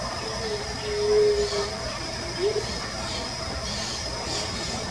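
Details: Amazonian motmot (Momotus momota), recorded in Brazil, gives a low, hollow hoot lasting about a second, then a shorter, slightly rising hoot, over a steady high insect hiss.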